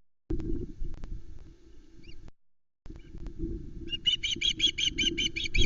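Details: Osprey at the Loch Arkaig nest, 19 July 2020, mid-afternoon, with three chicks present as a whole trout is delivered. Steady wind-like rumble and rustling at first, then a fast run of about ten sharp, bright, repeated chirps near the end.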